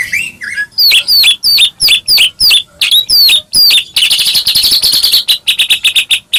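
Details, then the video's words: White-rumped shama singing in a full, energetic song used to provoke other shamas into singing: rapid series of loud whistled notes sweeping down, then a fast buzzy trill of repeated chattering notes. "murai batu gacor AMPUH buat PANCINGAN murai batu agar bunyi JADIKAN burung murai gacor EMOSI"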